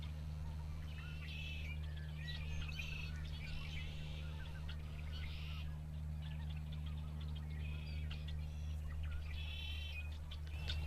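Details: Several red-winged blackbirds beside the car-tour road at Sacramento National Wildlife Refuge, 2 January 2016, recorded from inside a car: repeated harsh, buzzy trills from overlapping birds, with scattered short chips and a constant low vehicle drone.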